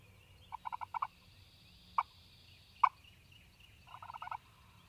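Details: Male wild turkey gobbling in spring in Mississippi during a morning hunt: rapid rattling bursts of pulsed notes near mid pitch, two separate sharp loud notes in between, then another rattling burst near the end, over a low rumble of background noise.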